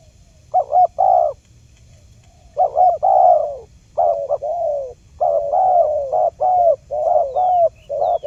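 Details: Spotted dove trapping lure: a pause, then dense groups of low, rounded coos, each note slightly falling, repeated rapidly; faint high chirps of another bird appear near the end.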